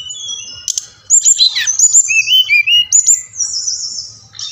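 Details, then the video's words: Brown-chested jungle flycatcher song from Bali, played to stimulate captive birds to sing: high varied whistled phrases, sliding notes and sharp chips, a burst of rapid notes in the middle, faint low hum beneath. "Sikatan Rimba Dada Coklat | putar ini pasti SRDC anda ngamuk gacor dengan suara ini"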